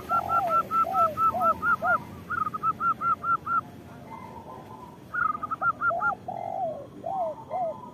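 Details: Zebra doves of a local strain singing to lure others into calling; a steady run of evenly spaced bright cooing notes, with lower arched coos underneath, a pause, then another run of coos.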